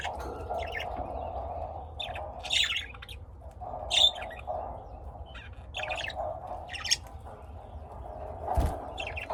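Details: Lovebirds bred and kept indoors in a home in Austin, Texas, utter separate high, harsh chirps every second or so, some doubled. A constant mid-pitched mechanical hum runs underneath.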